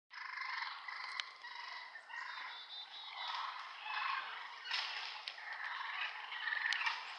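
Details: Wild turkeys fighting just inside the wood line by a yard on 5 April 2014: a dense, harsh mix of raspy clucks, yelps and squeals, with sharp snapping clicks scattered throughout.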